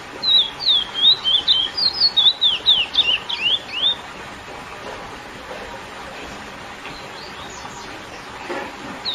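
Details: Lesser seed finch (curió) giving its classic song used to excite females: a rapid run of clear whistled, swooping notes, falling and rising, for about four seconds, then quiet with faint distant chirps.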